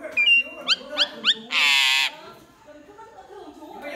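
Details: Myna singing: a short level whistle, then three quick upward-sweeping whistles and a loud harsh rasping burst lasting half a second, followed by quiet background voices.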